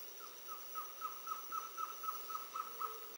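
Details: At Reserva Yaguaroundi, Misiones, on 31 July 2015, a Black-throated trogon (Trogon rufus) gives a steady series of soft, mellow hooted notes, about three a second, each slightly falling, over a thin, constant high insect whine.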